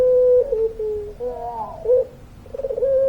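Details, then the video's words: Long-voiced cooing of a puter pelung (Barbary dove): a steady low note dropping slightly, a wavering rolled middle section, then a stuttering rise into a held coo at the end. "Puter Pelung Gacor Suara Panjang, Manggungnya Bikin Adem"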